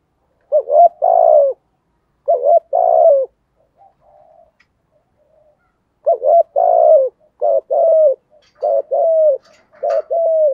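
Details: Spotted dove singing in the style locally called 'giọng thổ': low, mellow two-part coos repeated in a run of about eight phrases, with a short quiet break after the first three and faint softer notes between them.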